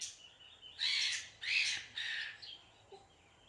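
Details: Parrot giving three harsh, noisy screeches in a loose rhythm, the first two loudest, trailing into softer scratchy notes over a faint steady background hiss.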